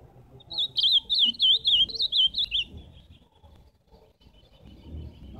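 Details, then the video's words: Ultramarine grosbeak singing a bright, rapid, warbled phrase of about eight looping whistled notes, each rising and falling, lasting roughly two seconds, followed by near silence with faint low background noise. "Canto do azulão ao vivo!"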